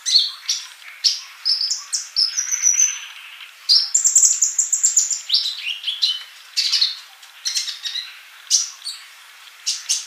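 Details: Sunbird, called kolibri, singing vigorously: a busy flow of high twittering chirps with short flat whistles, plus a thin buzzy high trill near the middle.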